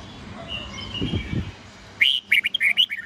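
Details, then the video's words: Morning song of a red-whiskered bulbul in the "old forest voice" style, used to teach young birds: murmuring background noise, then a quick burst of clear, liquid whistled notes rising and falling. "Luyện chào mào hót sáng GIỌNG GIÀ RỪNG âm 8-9-10 cực chuẩn/Ép chào mào non,má trắng học giọng nhanh"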